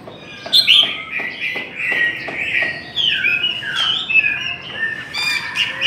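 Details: Hwamei in a singing contest pours out a continuous stream of fluty slurred whistles and quick trills, punctuated by sharp clicking notes.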